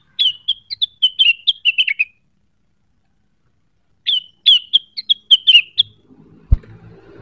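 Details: Provoked cucak wilis hunting for a rival sings two fast runs of high, bright chipping notes separated by silence, followed by a dull knock and low rustling.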